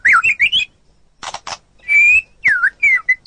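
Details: White-rumped shama phrase from a tutor recording for training songbirds: rising and falling whistles, two short harsh bursts after a pause, then a long clear whistle and looping slurred notes.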